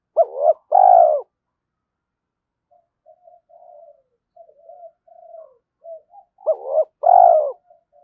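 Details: Spotted dove cooing in early morning to provoke fighting and lure rivals: two loud phrases, a short coo then a longer lower one, repeated near the end, with soft quiet murmuring coos between.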